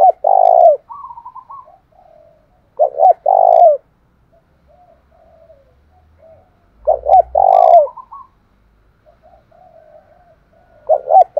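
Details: Captive spotted dove, 'thổ đồng' style, played as a provoking song: repeated three-part coo phrases every few seconds, short notes leading into a long mellow coo, quieter coos between, and a brief low thump.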